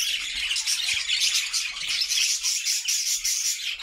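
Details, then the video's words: Caged budgies singing as a happy flock in a homemade cage; continuous high scratchy warble and twittering, with buzzy whistled notes woven through. "Budgie sounds to make them sing!!"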